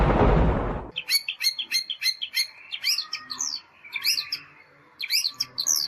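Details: Long-tailed shrike in nitik-style song, after a second of loud rushing noise: clusters of high, scratchy chirps and rising whistled notes, delivered in quick bursts with short pauses between.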